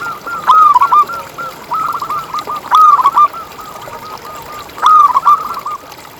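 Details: Zebra doves from local stock singing as a lure for other doves: loud phrases of quick, gurgling coo notes recurring about every two seconds, with softer doves cooing in between.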